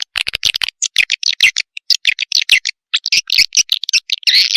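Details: Lure recording of swiftlet chick calls: dense run of quick, high, buzzy chirps and squeaks, uneven in rhythm, with short gaps between clusters.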